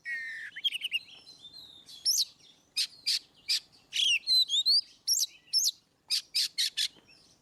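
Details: Ngeplong-style song of an Oriental magpie-robin, meant to prompt birds that seldom sing: a low sliding whistle opens, then loud rasping bursts, rising whistled slides and quick chip notes in fast succession, over a quiet background.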